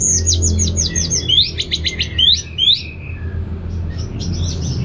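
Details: Captive anis merah (orange-headed thrush), northern Bali, answering a played recording: a fast rhythmic series of sharp, down-slurred high notes, about two or three each second, then softer scattered chirps, with low hum underneath.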